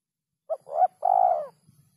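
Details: One clean 'kuk 3' phrase from a spotted dove: a brief soft note, a rising second note, then a long steady coo, low-pitched and mellow in a quiet setting.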